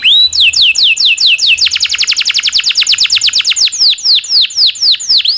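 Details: Long rolling 'cuit cuit' song of a domestic canary, used to train and prompt other canaries. It opens with a level whistle and a few swoops, then runs into a fast, even trill of falling notes that slows again.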